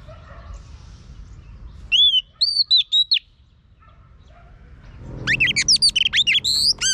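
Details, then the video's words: A female oriental magpie-robin sings to stimulate a male: clear rising whistles in two bursts, a short four-note phrase, then a faster run of bright, varied whistles. "chòe than mái HUÝT KÈM THÚC TRỐNG.chòe than mái kích trống căng lửa.chim chích chòe than mái hót"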